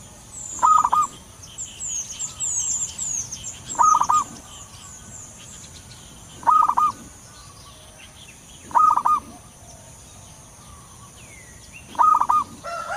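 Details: Wild local zebra dove, used as a lure, repeating a short, clear, rapid stuttering coo phrase five times, about every two to three seconds. Faint high chirps from other birds are heard in the first seconds.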